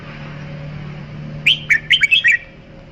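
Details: Red-whiskered bulbul singing one short, bright phrase of five or six quick chirpy, slurred whistles over a faint low hum.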